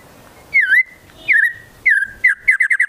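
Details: A white-rumped shama sings swooping whistled notes, each dipping then levelling off, three times before breaking into a fast rolling run of short bubbling whistles, part of a song stuffed with konin and kinoi mimicry.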